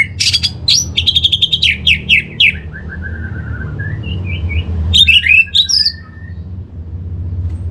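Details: Orange-headed thrush song meant to coax birds into singing: rapid chattering notes, then a falling series of short whistles and a sharp burst of varied high phrases over a steady low hum.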